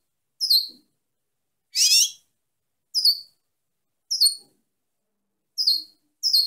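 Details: Female European goldfinch repeating short, high, downslurred chirps about once a second, with one louder, dense, buzzy twittered burst early on; bright and clean with no background.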